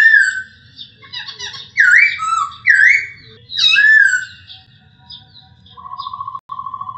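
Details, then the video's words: Clear masked laughingthrush song used as a training recording for other birds: rich slurred whistles with V-shaped pitch sweeps, then a rapid buzzy pulsed note repeated twice near the end, low background hum throughout. "MASTERAN AMPUH; SUARA POKSAY HONGKONG JERNIH"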